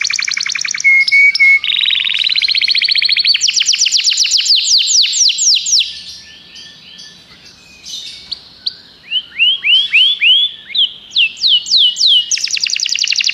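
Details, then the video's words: Common canary singing: rapid high trills and rolling tours, a softer quieter passage midway, then a run of upswept whistled notes and a closing fast trill. "Canários cantam"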